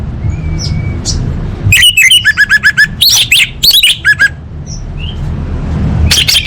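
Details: Female orange-headed thrush calling males, used to coax silent birds into song: a faint thin whistle, then a rapid series of ringing repeated chip notes and short buzzy phrases, a few soft whistles after, with steady low background hum.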